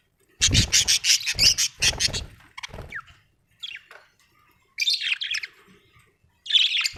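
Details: Pet budgerigars at home, with loud rapid pulsed squawking chatter at the start, then softer scattered warbles and a final buzzy burst, plus some low thumping noise.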